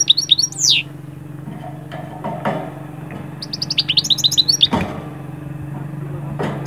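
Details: Goldfinch song for moving birds out of moult into breeding mood: scattered high chirps and a swooping note, quiet stretch, then a quick series of sharp twitters over a constant low hum.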